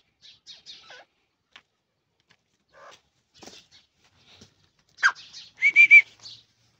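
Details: Iranian partridge calling: scattered faint chirps and soft notes, then near the end a loud burst of three quick, ringing, slightly nasal notes, with a few short chirps after.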